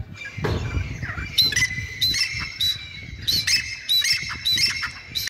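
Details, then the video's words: Grey francolin (Billu or Dhakni teetar) uttering loud, shrill, squeaky notes in uneven clusters over five seconds, with a soft thump early on and a little low background noise. "Gray Francolin Sound"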